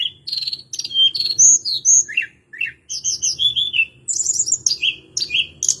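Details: Lively warbling from a hill blue flycatcher (tledekan gunung): rapid, high, rippling phrases, some buzzy, delivered almost without pause.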